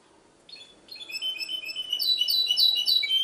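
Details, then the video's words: Hybrid goldfinch in Ksar el Kebir: a few spaced chirps build quickly into a loud, rapid chain of sharp, high twittered notes and liquid trills. "mixto jilguero ksar el kebir"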